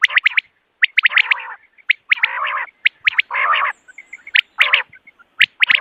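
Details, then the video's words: Morning calling of common quail used for hunting: short, high whistled notes fired in rapid groups, alternating with rasping, buzzy bursts of about half a second, against a quiet background. "Morning Quail Call 2025 صوت السمان واضح للصيد Batair Ki Awaz بٹیر کا شکار"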